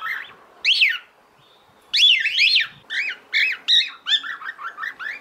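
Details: Female cockatiel in heat calling to a male: loud, harmonic, arched chirps, the early ones spaced apart, then a faster run of shorter rising-falling notes near the end, over a quiet background.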